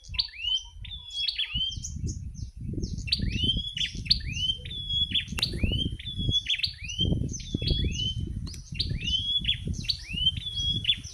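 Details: Bar-winged prinia in the wild near a house in late afternoon delivers a long run of rapid, high, swooping chirps in steady rhythm, over constant low rumbling traffic-like noise.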